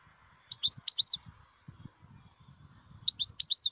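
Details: European goldfinch in the wild giving two quick bursts of bright, tinkling twitters, with soft low thumping and handling-like noise underneath between the phrases.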